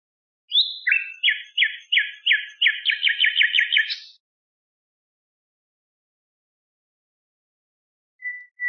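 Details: Common nightingale song for tutoring bulbuls: an opening note, then a repeated rhythmic trill of clicking chirps that speeds up into a tight rattle over about three seconds, followed by silence and a short final note.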